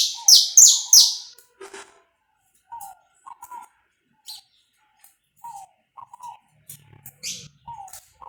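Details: Saffron finch singing, recorded live with no cuts as a warm-up for a kept bird: a burst of three loud, shrill high chirps, a later single sharp note, and scattered softer, lower descending whistles from another bird between them.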